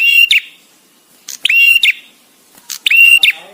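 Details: A visiting male bar-winged prinia delivers loud, buzzy phrases with pauses between them. Each phrase is a sharp click, a flat high whistled tone and a harsh ending, repeated roughly every 1.3 seconds.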